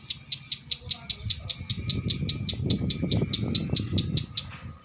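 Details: Female lovebird singing in konslet style, a long continuous song, caged and hung at a bird shop: rapid high chattering pulses about two and a half per second, with low rumbling room noise and faint voices underneath.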